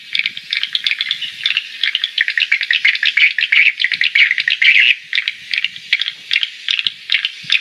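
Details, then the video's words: Bird recorded at a house in Ho Tram in August 2013, producing loud, rapid, continuous chirping, dense bursts of high notes repeated many times a second with brief pauses. "Bird call"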